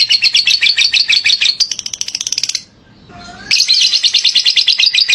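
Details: Lovebird singing ngekek, described as very lively and fitting as training filler: a fast, buzzy chattering trill, a quieter gap with a faint low whistle, then the rapid chatter resumes at full strength.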